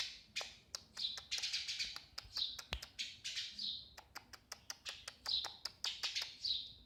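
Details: Eurasian tree sparrow: a rapid series of bright chirps with a fairly high pitch, some drawn out and slurred, mixed with many sharp dry clicks and taps throughout.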